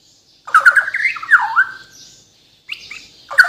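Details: White-rumped shama from Kalimantan, Borneo, giving loud, harsh, rasping notes in its isian repertoire: a burst of grating sounds, a pause, then another abrupt scratchy phrase.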